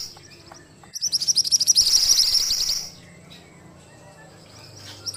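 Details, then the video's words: Ashy tailorbird gives a single long burst of shrill, rapidly pulsed trilling lasting about two seconds, building in loudness, before the recording falls back to near quiet; recorded for training cage birds. "Masteran Burung Mantenan Gacor"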